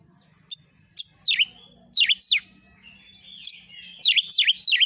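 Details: Oriental magpie-robin singing for a lure recording intended to trigger replies. Isolated high clicks open the song, then loud, swooping downward slurs come in pairs and triplets.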